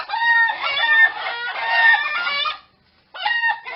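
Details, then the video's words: Rooster and fowl calls: a long, loud stretch of overlapping harmonic wavering cries lasting about two and a half seconds, a short silence, then another burst starting up. "The sound of cock cock Warble roster sound"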